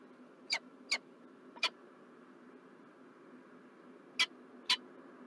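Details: Montreal, Canada, 4 November 2023: a peregrine falcon gives five short, high, sharp notes, three in quick succession and then two after a pause, over faint steady hum.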